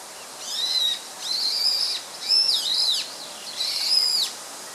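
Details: A song thrush, noted as a rare bird, recorded 24 March 2014, gives four thin, high, drawn-out whistled notes, each arching slightly, about one per second, over faint background hiss.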